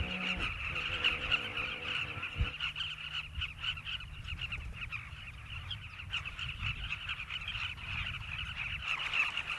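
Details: Southern carmine bee-eaters, migrants nesting in river banks of Zambia's South Luangwa Valley. A continuous crowd of birds trills and chirps in rapid, uneven overlapping calls, about four bursts a second, with a faint hum at first.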